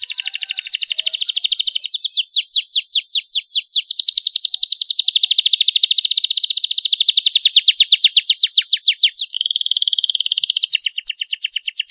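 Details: Long clear-voiced master song from a young canary in cengkok mewah style: alternating dense buzzy trills and bursts of fast downward sweeps, continuous and varied throughout.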